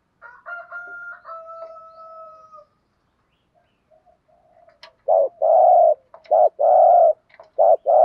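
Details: Spotted dove decoy in 'thúc gù' style: a thin level whistle-like tone first, then a burst of low, throaty paired coos, short then long, repeated quickly to the end.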